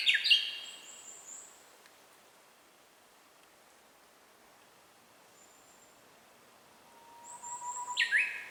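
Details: Japanese bush warbler singing somewhere on an ordinary day, caught on a handheld camera with some operating noise. The faint tail of one warbled flourish opens the recording, then a long low whistle ends in a rapid fluttering phrase, with thin high notes between.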